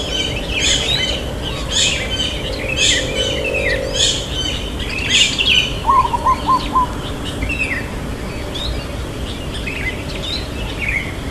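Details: Local zebra dove with a long "kuk" song, irama lelah rhythm: a single phrase of four rapid, low coos halfway through, set among loud repeated sharp chirps and twitters of other birds.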